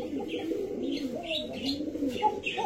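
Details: A breeding pair of Basiraj domestic pigeons, the pair on eggs, described as aggressive, with both birds calling nonstop, coo in low, rolling, wavering phrases, with faint higher chirps behind.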